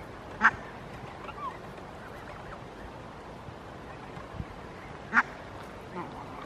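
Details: Barnacle geese grazing on a lawn in Helsinki, Finland, in September 2022. Two loud, sharp, barking calls come about five seconds apart, with faint softer chatter between them over a low background rumble.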